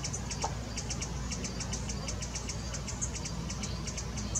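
A hummingbird gives rapid, thin, very high chips, several each second in an uneven series, over a steady low rumble like a distant engine.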